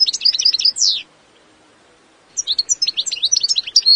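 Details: Wild European goldfinch of the Eastern European form carduelis balcanica, singing bright, high twittering phrases with quick chirps and a buzzy descending note, then a pause of over a second before another fast tinkling burst.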